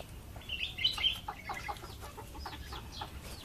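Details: In a backyard, a chick and its mother hen: high, sliding peeps with a few brief clucking notes in between, over a continuous low background hum.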